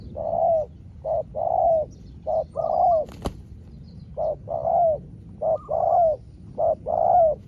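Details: Spotted dove answering a rival wild dove in a long exchange: steady rhythm of warm coos, short notes alternating with longer swelling ones roughly every second. One sharp click midway.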